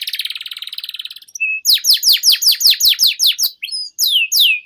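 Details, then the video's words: Vigorous long canary song meant to prompt and teach young canaries: opens with a buzzy rattling roll, then loud downward-swept whistles repeated about three times a second, ending with a few sliding notes. "PANCINGAN Suara Burung KENARI Gacor Panjang || Masteran KENARI Paud"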